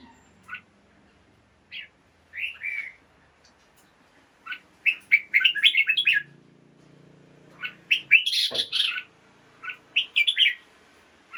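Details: Caged red-whiskered bulbul singing in the morning, played to rouse other caged birds: short warbled, whistled phrases in bursts, sometimes run together into quick chattering series, with a low hum beneath.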